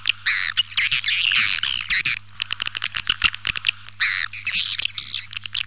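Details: Swiftlet attraction call: scratchy high twitters in several bursts separated by rapid trains of dry clicks, the chattering returning about every two seconds, a low hum running throughout.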